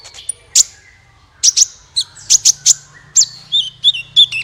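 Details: Lure recording of a sunbird meant to get other birds singing: sharp high clicks and chips in pairs, ending in a run of quick twisting whistled notes, with a faint low drone beneath.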